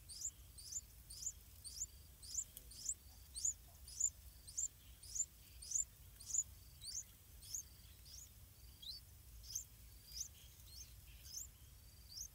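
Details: Yellow-vented bulbul parents feeding and guarding their chicks in a pineapple farm, bringing wild fruits and small insects such as dragonflies; thin, very high squeaky chirps repeat about every half second in a steady series over faint background noise.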